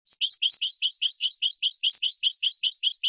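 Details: European goldfinch, 2017 training recording for captive birds: a steady run of rapid two-part twittering notes, each high note dropping to a lower one, repeated about two and a half times a second in a clean, quiet recording.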